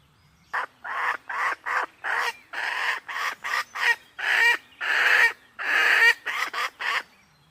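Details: Female red junglefowl, a wild hen coming to a tame decoy hen, gives a run of harsh, broadband clucks about once a second, the later ones drawn out longer and louder, against a quiet background.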